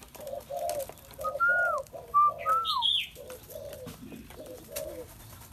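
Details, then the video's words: Repeated low coos from a spotted dove, mellow and slightly rough, come in quick groups, while a separate bird adds clear falling whistles and a high, scratchy chirp. "Chim cu gáy"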